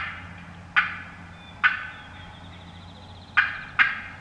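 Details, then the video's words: Real wild turkey hens in the woods, with no hunter calling, give four sharp, abrupt clucks at uneven intervals, cutting and yelping, as one hen comes in strutting; low background hum and a faint thin whistle. "Wild Turkey Hens Cutting Yelping and Calling"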